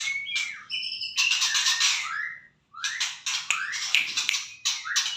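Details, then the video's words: Kept white-rumped shama singing in the morning: bright whistled notes and rising slurs mixed with harsh, buzzy squawking phrases, delivered in rapid bursts with a short silent break. "kicauan pagi murai ku"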